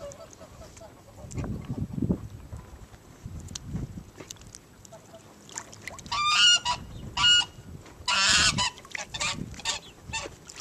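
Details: Cotton Patch geese, a rare heritage breed from an original preserved ranch flock, bathing in water. Low splashing and paddling sounds open, then two short nasal honks with stacked harmonics in the middle, followed by loud harsh bursts of splashing.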